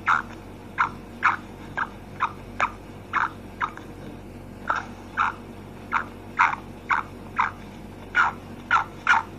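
Female black francolin giving short, harsh, clipped notes about two per second, in runs with brief pauses, over a faint steady hum.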